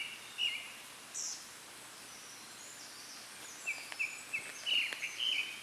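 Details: Japanese thrush delivering its treetop song: scattered bright whistled notes early, then a quicker run of varied fluting phrases toward the end, over faint ambient hiss.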